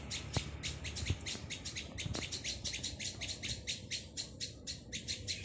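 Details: Plaintive cuckoo chick begging: a fast string of harsh, hissy high chirps, about four each second, running steadily through the whole stretch, with a few soft low knocks near the start.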